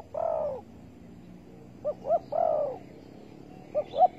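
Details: Spotted dove calling at a trapping spot set with bare bait, 15.08.2020: long hoarse downslurred coos alternating with pairs of short rising notes, phrases spaced about two seconds apart, background otherwise quiet.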